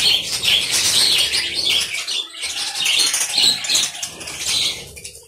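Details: Budgerigar colony in an aviary: continuous high, twittering and squeaky chatter from many birds, swelling and fading in waves.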